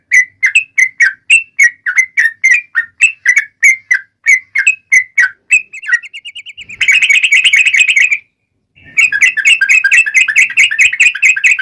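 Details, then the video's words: Yellow-vented bulbul singing hard in the long 'ropel' style, used to provoke other bulbuls: steady repeated bubbly notes that speed into a dense, buzzing trill, a short gap, then another rapid chattering burst. "trucukan gacor TARUNG ROPEL PANJANG pancingan trucukan agar bunyi JADIKAN burung trucuk gacor NYAUT"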